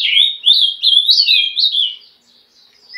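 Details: Green-winged saltator, known locally as trinca-ferro, pouring out a rapid string of rich whistles that rise and fall in short linked phrases for two seconds, then briefly goes quiet before another note begins.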